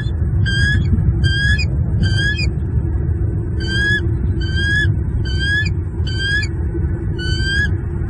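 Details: Male bald eagle defending his nest and two chicks from an intruder, Southwest Florida, February 10, 2023, morning: bursts of shrill, rising whistled notes, about three then five in quick succession, over constant deep wind-like rumble.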